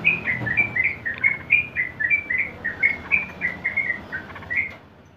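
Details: Sooty-headed bulbul's long ropel song: about twenty fast, bubbly notes run on without a pause for five seconds, slurring up and down, then fade at the end.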